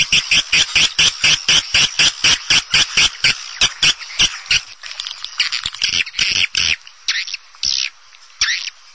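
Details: Swiftlet calls used to attract swiftlets into nest houses: loud buzzy chirps repeated about twice a second, steady at first, then turning irregular and overlapping, with short gaps of near silence between bursts.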